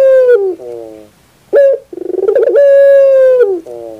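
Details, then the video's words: Barbary dove, recorded as a training song for birds: long, rich, steady coos held on one low note, broken by a quick rolling burst of pulsed notes and short falling drops between phrases. "Masteran terbaik Burung Puter 2021"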